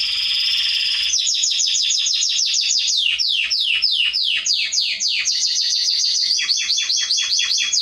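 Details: Canary (Serinus canaria) song played to train young birds: a buzzy high opening, then a fast series of descending whistled sweeps, several per second, ending in a quicker run of short sharp notes.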